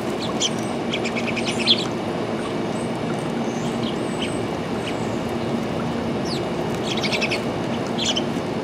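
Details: Sparrow calling outdoors: short clusters of high, sharp chirps in quick bursts, a few seconds apart, over a steady loud background rumble.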